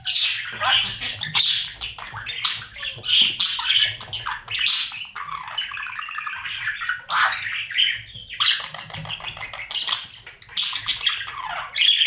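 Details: Budgerigar parents feeding chicks inside a breeding nest box; an unbroken stream of raspy, chattering squawks and trilled chirps, rising and falling in loudness across the whole stretch.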